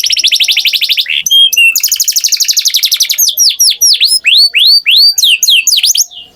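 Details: Canary song opening with a rapid rolling trill, a few clear whistled notes and a second trill, then a run of descending swooping notes.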